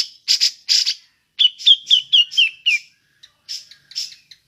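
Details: Grey-cheeked bulbul (cucak jenggot) giving ngepik calls used to lure other birds: three harsh, buzzy bursts, then a run of about six quick, down-slurred whistled notes, ending in scattered rough chips.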